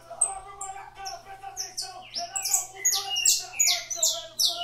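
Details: Saffron finch in an aviary singing figurando: scattered high notes building into a fast series of loud downward-sweeping whistles, about two per second, over a steady low hum.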